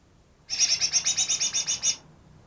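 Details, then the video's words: Wild-caught greater green leafbird that reportedly copies ten other species produces a rhythmic string of about twelve harsh high notes, evenly spaced over one and a half seconds. "burung cucak ijo yang bisa meniru 10 suara burung lain"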